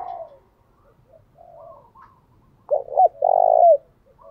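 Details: Decoy spotted dove cooing to lure wild doves, in the 'thúc gù' style and switching patterns continuously: soft low coos, then a loud abrupt double note at three seconds and one long drawn-out coo ending near four seconds.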